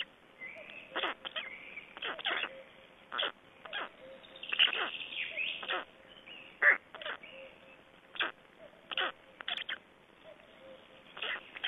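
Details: Black storks at an Estonian nest during feeding and a change-over, 25 May 2012: short harsh bursts repeated irregularly, with a few drawn-out squeals and a steady faint background tone.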